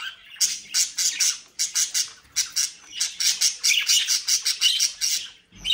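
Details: Captive-bred budgerigars near Den Haag, Netherlands, described as mischievous, call in a quick rhythmic series of harsh, buzzy chirps, roughly three to four per second, broken by brief pauses.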